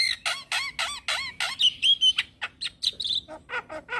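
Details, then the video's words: Black-winged starling kept as a cage bird, singing a run of evenly spaced buzzy chirps, a bright whistled trill, then scratchy varied notes and repeated chattering calls. "Jalak Kebo gacor manggut Manggut Bikin Semangat Jalak Kebo macet Bunyi"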